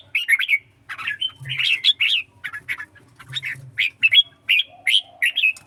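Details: Red-whiskered bulbul of the songkon type singing in a contest: a quick run of short, bright, warbling notes in clustered phrases, fairly steady throughout with brief gaps, low faint hum underneath.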